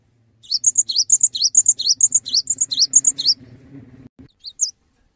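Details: Cinereous tit in lively song meant to prompt other tits to join in: high, sharp two-note phrases repeated rapidly for about three seconds, then a short pause and a final lone note, with faint low hum beneath.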